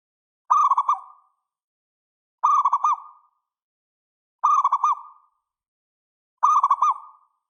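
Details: Zebra dove, local perkutut, singing a lure song: four identical short bursts of rolling, stuttered coos every two seconds, each ending in a fading held tone, with clean silence between.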